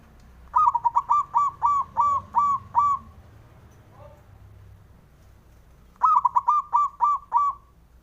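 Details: Male local zebra dove, a Javan bird used to provoke rivals into answering: two bouts of rapid, hollow, staccato cooing, about eight quick bubbling notes and then seven, separated by a few seconds of quiet.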